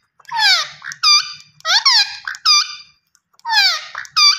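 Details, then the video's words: Close, loud screeching of a green ringneck parrot: rasping descending shrieks alternating with shorter ringing notes, about four per second in bursts separated by short breaks. "Gareen Ringneck Parrot Natural Sounds Vice"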